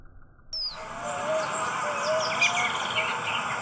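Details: Ruddy-breasted Seedeaters, male and female, recorded 21 September 2019: song opens with a high, falling whistle, then quick, sweet chirps and slurred notes, with low hoots and outdoor noise behind.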